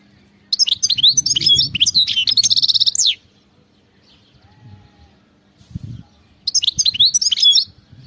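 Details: Goldfinch, European, singing in wild (khalawi) style: a long rapid twittering phrase ending in a buzzy trill over a low rumble, then quiet with faint knocks, then a second shorter twittering phrase.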